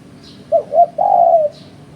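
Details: Spotted dove call played as a lure for bird trapping: two short low coos followed by one long, level, mellow coo that fades slightly at the end, with faint high chirps in the background.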